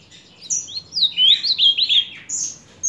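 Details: An ultramarine grosbeak (Cyanoloxia brissonii), recorded July 2023, sings a bright, hurried phrase of slurred high whistles swooping down and up for about a second and a half, then one short clear note.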